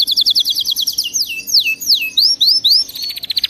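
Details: Canary song used to train pet canaries to sing: a fast trill of repeated high notes, then a series of sweeping downward slurs, then rising whistled notes, ending in another rapid buzzy trill.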